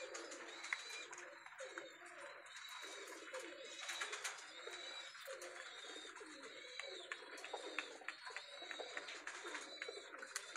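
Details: A loft of Pakistani high flyer pigeons, with low soft cooing running throughout under a busy layer of short, high chirps and clicks from many birds together.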